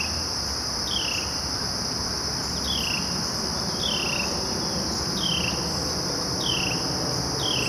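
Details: Carolina wren at Jarvis Bird Sanctuary, Chicago, on 29 August 2012, giving its cheer call song: a bright, down-slurred whistled note repeated about once a second, six times, over a loud, steady buzz of crickets and other insects.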